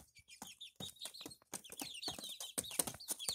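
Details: Barred Plymouth Rock chicks, a few weeks old in May, peep in a high, thin, rapid series of short chirps, some rising and falling, with clicks and shuffling noises between them.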